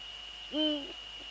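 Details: Hoot of a male Eurasian eagle-owl recorded in the Netherlands at 17:30 on 6 February 2013: one low, rounded note swelling and dropping at the end, a faint echo-like note after, over a constant high-pitched hum.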